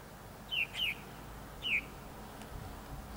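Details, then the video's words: Three feathered Purple Martin nestlings in a backyard, not yet flying: brief, sharp down-slurred chirps, two close together then a third a second later, over a steady background hiss. "Purple Martin Babies"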